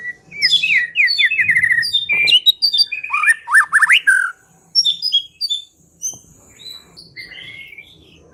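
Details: White-rumped shama song played to lure the bird for trapping: quick descending whistled notes and sharp upslurs, then quieter, sparse high whistles toward the end.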